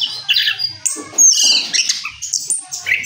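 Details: Orange-headed thrush after moulting, giving its rolling song: harsh squawky notes mixed with sharp whistled slurs and chattering phrases in a busy, unbroken stream.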